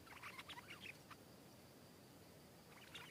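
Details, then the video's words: A wild Stripe-throated Bulbul in a garden answers a caged decoy bird and comes down to attack it fiercely, giving quick, bubbly whistled phrases, a burst in the first second and another near the end, over steady hiss. "นกป่ามาถึงตัวร้องโต้ลงตีอย่างดุ(Stripe-throated Bulbul)"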